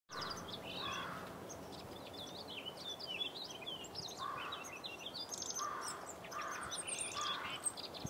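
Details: A Purple Finch sings a long, rich warble of quick, tumbling high notes on an early spring walk on March 8, 2010, with lower harsh calls from other birds now and then and a steady outdoor hiss.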